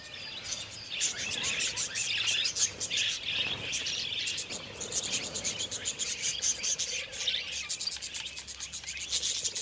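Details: Wild budgerigars in the Australian outback breeding after rain, courting at tree hollows along gorges of the central ranges, chattering in a dense stream of short, high chirps and warbled notes, many overlapping, with soft music.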